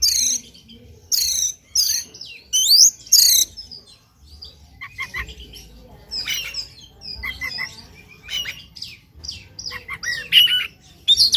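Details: Morning song of an Oriental magpie-robin, recorded to lure another bird into singing its varied repertoire: loud rising whistled sweeps, then chattering and trilled phrases with harsh notes, steady low background hum.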